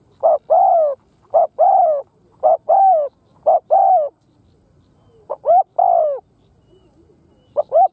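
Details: Spotted dove lure bird cooing to pull in wild doves: six steady phrases, each a short note or two followed by a longer drooping coo, repeating roughly every second and a half.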